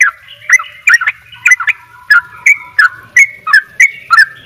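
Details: Sooty-headed bulbul from Bali in full 'dobel ropel gacor' song: short, sharp, slurred notes repeated nearly three times a second, each note bending down and back up with a clicky edge, with faint low hum beneath.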